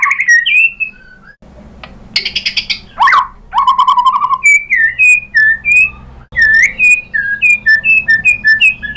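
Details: Provocation song of the white-rumped shama, meant to set other birds singing: a few harsh and buzzy notes, then a steady series of clear, short rising whistles repeated about twice per second.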